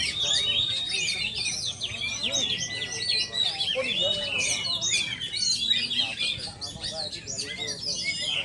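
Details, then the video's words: Oriental magpie-robin, local name kacer sultan, delivering a continuous, fast, varied song of sharp whistles, sweeps and trills, many notes overlapping against a noisy background. "Kacer sultan"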